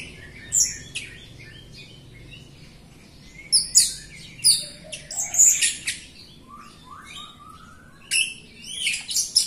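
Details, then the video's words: Jalak Rio myna in lively song to prompt other Jalak Rio birds that rarely sing; clusters of shrill squeaks and rasping chatter separated by short pauses, with a quiet background. "JALAK RIO GACOR untuk pancingan RIO RIO BAHAN OMBYOKAN & MALAS BUNYI"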